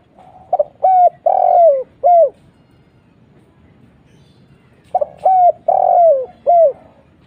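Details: Spotted dove call played as a lure, in the 'kuk 1' style: a crisp phrase of four to five ringing coos, the middle one longest and falling, repeated twice about four seconds apart over a quiet, faintly rumbling background.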